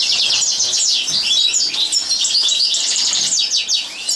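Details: European goldfinch singing during a live training session; a dense, fast twittering song of high, tinkling trills and buzzy notes runs without pause, bright and liquid throughout.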